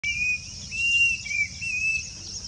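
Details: Grey-bellied cuckoo (Cacomantis passerinus) song, with many males singing and fighting for territory in agricultural land: thin, clear whistled notes in a steady, slightly wavering run over a constant high insect hiss.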